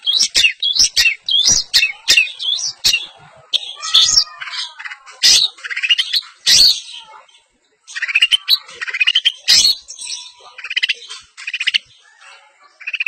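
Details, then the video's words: Long-tailed shrike of the semi blangkon type singing in an East Javanese champion style, showing off its isian mimicry. Rapid, varied chattering phrases of sharp chirps, squeaky whistles and scratchy notes follow one another, broken by loud clicks and a short pause. "pentet semi blangkon- bongkar isian -gaya juara - pentet jawa timuran"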